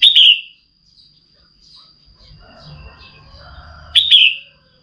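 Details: Female red-whiskered bulbul calling to excite a male into singing: a clear falling whistle, then soft murmuring, then a second matching whistle four seconds later, over a continuous faint high tone.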